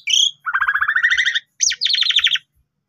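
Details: Lure song of young Asian pied starlings, meant to stimulate other starlings: a bright high chirp, then a rapid rattling trill of about fifteen notes, followed by a second fast descending trill.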